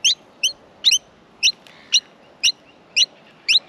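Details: Baby Australian miners in their nest at feeding time give sharp, high, squeaky chirps, some doubled, repeated roughly twice a second against a quiet background.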